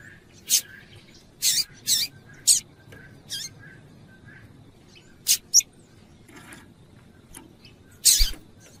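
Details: Short, piercing high chips from a female double-collared seedeater calling to stimulate the male to sing, about nine notes in irregular clusters, some doubled in quick succession, with soft background hiss.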